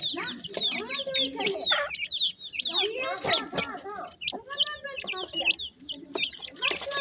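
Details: Grey francolin chicks right after hatching, calling to the mother: rapid, high, drooping peeps from many chicks, about two a second, over lower warbling notes and scattered clicks.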